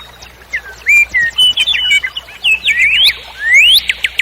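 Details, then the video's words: Common nightingale warbling: a varied run of clear whistled notes and sharp upward-sweeping slurs, loud and rich, with short pauses between phrases. "Трель соловья"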